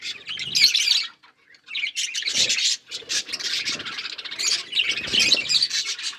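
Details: Pet budgies eating green food, sending out dense, buzzy warbling chatter in several bursts after a short silence, with soft low thuds of feeding.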